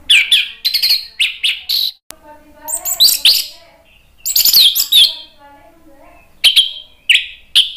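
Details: Orange-headed thrush (anis merah) in loud, vigorous ngeplong gacor singing: bursts of high, sharp, varied chirps and whistles broken by short pauses, with lower fainter notes mid-clip.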